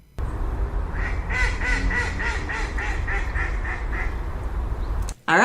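A mallard hen gives a run of about nine loud, nasal quacks, about three a second, over a steady low rumble.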